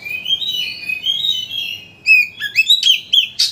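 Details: Shama song intended to excite a white-rumped shama into its full repertoire: soft wavering whistles first, then louder clear whistled notes, quick upslurs and sharp high chips toward the end.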